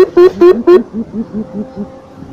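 Javan coucal giving a fast series of deep, hollow hoots, about four per second, loud at first, then softer and lower as it trails off.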